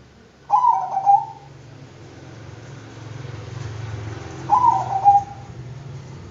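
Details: Bangkok zebra dove cooing two similar phrases about four seconds apart, each a fast run of soft, stuttering notes ending in a longer drawn tone, over a low rumble.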